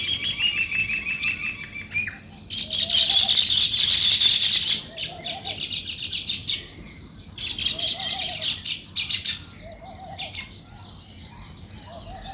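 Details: Morning chirping of sparrows near nest-building weaver birds, a loud burst of massed high twittering in the middle, quieter chatter around it, and soft low repeated notes underneath.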